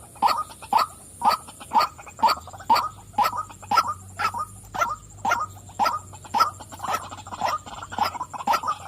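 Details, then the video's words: Female white-breasted waterhen repeating harsh nasal 'wak' calls at an even pace of about two per second, each note short and punchy, with background whine and low hum. "burung wak wak betina suka memanggil.."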